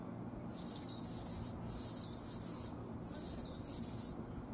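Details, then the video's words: Singing Anna's hummingbird gives three harsh, high, buzzy phrases, each about a second long, repeated with short gaps, above a quiet low hum. "Anna's Hummingbird Sings"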